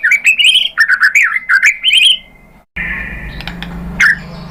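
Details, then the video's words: White-rumped shama (murai batu) lure singing: quick warbled whistles swinging up and down, a held tone, then near silence and a low background hum with one last sharp note. "spontan NYAMBER !!! MURAI BATU jadi EMOSI NYAUT GACOR ¦ PANCINGAN MURAI ¦ SHAMA BIRD"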